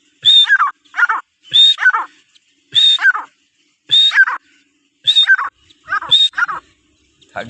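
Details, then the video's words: Teetar (francolin), described as Iranian teetar, giving repeated loud calls: each a high whistled note followed by harsh, grating downslurred phrases, about six bursts spaced roughly a second apart. "Teetar ki awaz| Teetar voice | Sound of Teetar |Iranian teetar ki awaz"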